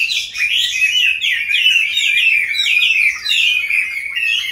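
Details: Captive Chinese hwamei, wild-caught and kept for five years, delivering loud fluid whistled song with slurred descending and rising phrases run together in an unbroken flowing medley.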